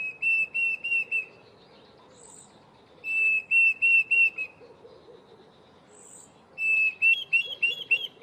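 A Diederik Cuckoo gives bursts of four or five clear, ringing whistled notes every few seconds, the last phrase climbing higher. A soft insect hum and a faint high chirp sit underneath.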